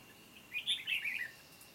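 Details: Decoy red-whiskered bulbul singing competitively to draw wild birds toward a trap, 29 July 2020; a single quick warbled phrase of bright, tumbling notes lasting under a second.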